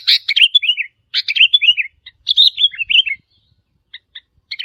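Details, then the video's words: Challenging calls of a wild sooty-headed bulbul directed at territory holders. Two lively, tumbling phrases of chirps and descending slurred notes, then a few isolated soft chips near the end, in otherwise silent surroundings. "เสียงนกปรอดหัวเขม่า นกแทด นกกระแทดดากเเดง เสียงเร้าใจนกป่า ท้าทายเจ้าถิ่น"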